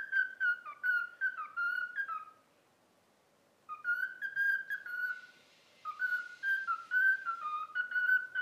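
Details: Trained cockatiel whistles the melody of 'If You're Happy and You Know It'. Two bursts of quick clear notes stepping up and down with a short gap between them, in a quiet room, with faint rustling behind the second phrase.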